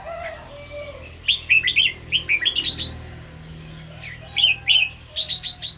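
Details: Red-whiskered bulbul singing in the morning in a doubled 2-3 style with 'rik' phrases: bright, bubbly whistled notes rising and falling around the upper-middle range, in two bursts separated by a pause, over a low steady hum.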